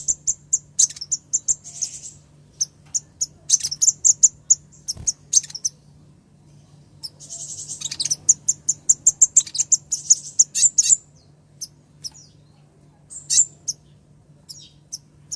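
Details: A female ruby-cheeked sunbird calls to the male in two long, dense bursts of high, thin chips mixed with buzzy trills, separated by a short pause, then scattered single chips.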